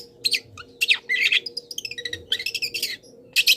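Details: Long-tailed shrike mimicking wild birds in its song, used as a master recording for cage birds; fast, scratchy warbling with buzzy chatters and a few thin whistled notes, nearly continuous.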